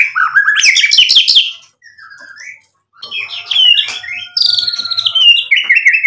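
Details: White-rumped shama in full 'gacor' song packed with 'isian' phrases: a loud, tumbling burst of varied whistles, a quiet gap, then mixed warbling and high, slurred notes.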